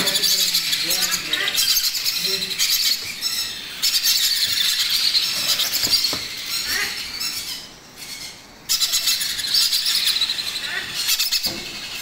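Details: Young macaw being fed, squealing in long, grating, hoarse bursts with brief dips, the rasping calls filling nearly the whole stretch.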